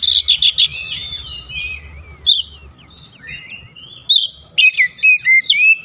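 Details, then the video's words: Oriental magpie-robin, kept bird, opening with rapid high chips, then drawn-out sliding whistles and a final cluster of quick bright notes. "Kacer ngedrop macet bunyi sekali dengar langsung gacor"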